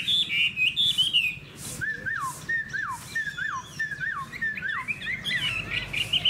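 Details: Hwamei in a cage, described as spread-tailed and well-voiced, gives high warbled notes, then a series of slurred whistles sliding downward, repeated roughly every half second, ending in quick high trills.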